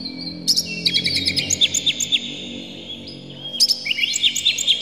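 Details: Oriental magpie-robin (kacer) delivering a loud provoking song to goad other magpie-robins: a sharp burst, a string of clear repeated whistled notes about every quarter second, a pause, then another crisp burst of trills and whistles.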